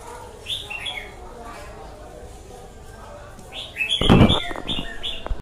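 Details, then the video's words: Red-whiskered bulbul giving short warbled phrases, interrupted by a loud knocking thud partway through, followed by more chirpy notes. "Chào mào bổi lở a cu ty"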